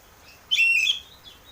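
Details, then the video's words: Oriental magpie-robin singing in the loud ngeplong style, used as a lure to get caged birds singing: one bright, whistled phrase of about half a second, sliding and slightly warbled, with a softer trailing note. "pancingan burung kacer ngeplong biar cepat mau bunyi dan gacor"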